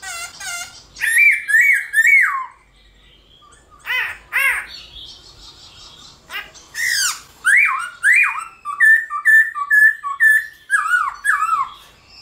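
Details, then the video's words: Black-throated laughingthrush singing in the morning, played to stir other laughingthrushes into song; loud clear whistled phrases with rising and falling slurred notes, some harsh squawky bursts, delivered in rapid repeated runs with brief pauses. "khướu bạc má hót múa buổi sáng"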